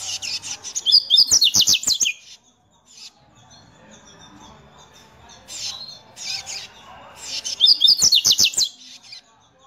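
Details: A male hybrid songbird, excited at seeing a loose female, sings two bursts of bright, high, rapid trilled phrases with sharp chips, with a quieter phrase between them and faint room noise.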